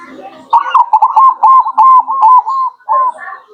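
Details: Zebra dove of local stock singing as a lure for wild birds, a fast chain of short, even whistled coos run together for about two and a half seconds, then one trailing note.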